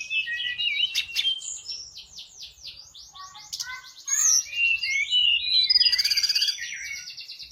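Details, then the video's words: Actively singing Sunda robin, fit for luring other birds: a long flowing series of quick whistled slurs and chattering notes, building to a loud rattling trill near the end. "burung tledekan gunung gacor cocok buat pancingan"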